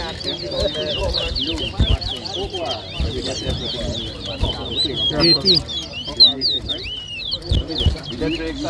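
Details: Towa towa birds in a head-to-head whistling competition, New Amsterdam, Berbice, Guyana, 2023: steady streams of quick, high, sliding whistles beneath loud talking and clatter from the crowd.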